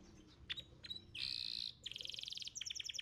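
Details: Young canary with a few sharp notes, a long buzzy burst, then a rapid pulsed trill and quick chirps, over soft background noise.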